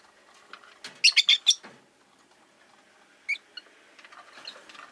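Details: Caged rosy-faced lovebirds kept beside a window chirp in a quick run of four sharp, bright notes, followed by a lone squeak and faint scratchy chatter.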